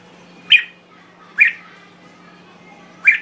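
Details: Red-whiskered bulbul from Thailand giving three short, sharp chirped notes about a second apart, with quiet pauses between and a faint steady low hum underneath.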